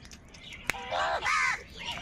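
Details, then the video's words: Crows competing for food; after a sharp click, two raspy caws follow in quick succession, the second slightly higher and longer. "Crow bird live Crowing sounds | Clear crystal Crow bird Crowing sounds | কাকের ডাক Crow Sound"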